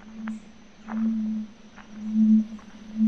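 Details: In the Yabotí Biosphere forest of Misiones, Red-ruffed Fruitcrows at a courtship lek (first two, then nine or more males, throats inflating) give very deep humming booms, each about half a second, roughly every second, with faint other birds behind.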